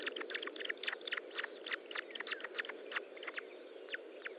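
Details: Osprey nest feeding, morning of 25 June 2012: loud, rapid, insistent chirps, many in quick pairs or clusters, running almost continuously over a low steady hiss.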